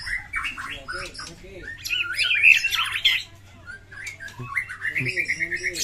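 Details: White-rumped shama in fighting mode, a rich, full song meant to trigger a quiet shama to sing: loud rapid warbling phrases mixing squawks, shrill whistles and chattering trills in a continuous flow.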